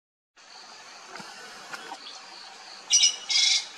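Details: Sri Lanka blue magpie calling: after quiet, steady background hiss, two loud, harsh, rasping broadband bursts come close together near the end.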